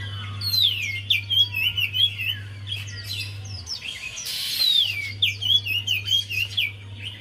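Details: Lively Javan white-eye song meant to coax a silent white-eye into singing: fast, jumbled high twittering with rapid slurred notes, about four per second, one falling whistle, and a steady low hum that briefly cuts out.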